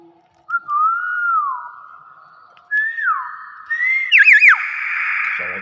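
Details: A Nias hill myna gives its natural voice, loud pure whistles that slide and waver, ending in a quick rising-and-falling flourish over a hiss of background noise.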